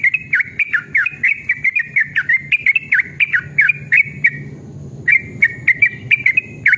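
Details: Yellow-vented bulbul in an emotional long ropel, used to draw caged birds into singing. A rapid string of liquid, warbled whistles runs on, breaks for a moment, then resumes at the same brisk pace.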